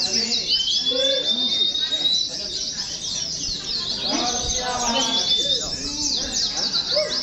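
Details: Oriental white-eyes kept in cages and hung together to simulate a song competition, producing a steady, dense, high-pitched twittering chorus with thin sustained whistles and talking in the background.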